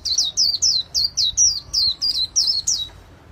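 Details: Ten rapid, high, sweeping chirps from a white-eye singing líu xòe for a bird artisan, each note bright and slurred downward, ending in a short fade.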